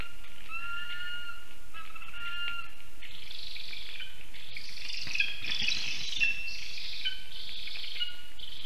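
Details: A lesser spotted eagle family near a black stork nest in Ogre, Latvia, 1:19 pm on 19 August 2024, gives thin, level whistled calls, two drawn-out notes in three seconds, then a wash of rough, hissing higher sounds.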